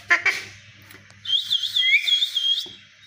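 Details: A fighting Alexandrine parakeet gives two short rough notes, then a long warbling whistle whose pitch undulates rapidly, with a faint lower note rising beneath it. A low hum runs in the background.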